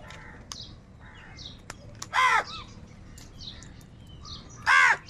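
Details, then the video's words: Crows in a large flock, said to be fighting over food, give two loud harsh caws with stacked bands, one near the middle and one near the end, over many fainter scattered calls from other birds. "Huge numbers of crows crowing and crying sounds | crow sound of kaka | কাকের ডাক Crow sounds"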